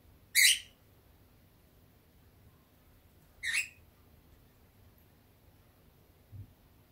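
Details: Pet peach-faced lovebird, drowsy and dozing in warm, sunny weather, filmed from a fixed camera: two short, sharp, high chirps about three seconds apart, with quiet gaps between and a faint low hum indoors.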